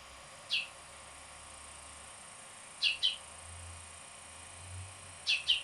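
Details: Hooded oriole in northern California giving sharp, high chip notes, single then paired, spaced a couple of seconds apart, over a faint steady high insect-like hiss and low rumble.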